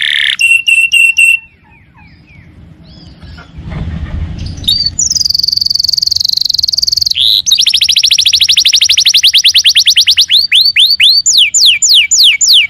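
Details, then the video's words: Canary singing 'gacor'. Short ringing chirp series come first, then a quieter gap, then a high steady buzzy trill, a dense rapid rolling trill and finally slower sweeping downslurred whistles. "Suara kenari gacor"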